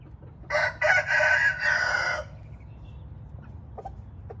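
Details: A red junglefowl gives one loud, raspy crow lasting under two seconds. It opens with two short choppy bursts, then swells into a longer drawn-out strained note, followed by low rumbling background and a few faint clicks.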